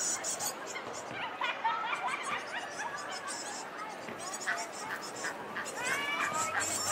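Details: Young great tit fledglings, several overlapping, give a busy stream of harsh, chattering calls with rising and falling notes over a steady hiss while chasing their parents through a flowering Grevillea bush at the Lido.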